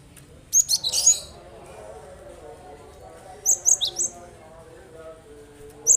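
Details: Cinereous tit song meant to make other birds join in: a dense burst of high, slightly harsh chirps, then a spaced group of four sharp notes, and a final single chirp. A faint low hum fills the background.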